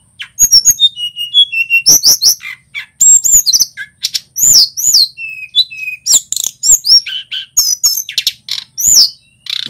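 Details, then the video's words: Male local Tledekan Gunung singing energetically for a songbird training track: a dense, fast run of high varied whistles, slurred notes and sharp chirps with hardly a pause. "Suara Burung Tledekan Gunung GACOR"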